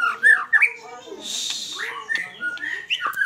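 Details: White-rumped shama in full, vigorous fighter-style song: sharp whistled upslurs, a burst of hissing, rasping noise, then varied slurred whistles and chatter.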